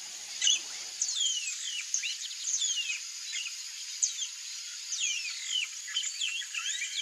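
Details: Yellow-rumped marshbird giving many overlapping clear whistled notes, mostly sharply descending slurs in quick bursts, steady faint high-pitched hiss throughout.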